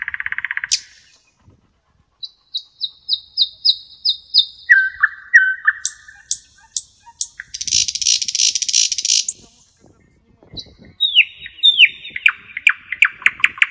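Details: A common nightingale sings on a spring evening under the walls of an ancient monastery, giving loud, varied phrases of repeated whistles, dry clicks and a harsh rattle.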